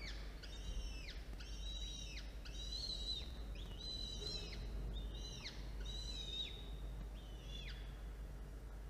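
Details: Falcon at a nest camera, with an adult bringing prey and feeding two young chicks hatched 1 and 5 October, 13 October 2022, 1:54 p.m.; about eight high, arched whistled notes in quick succession with a steady low hum behind.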